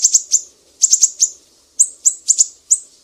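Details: Mangrove whistler from Sumatra, a master recording for training songbirds in a sharp 'besetan' style: very high, sharp chipping notes in quick clusters of two to four, separated by short pauses, clean with no other sounds.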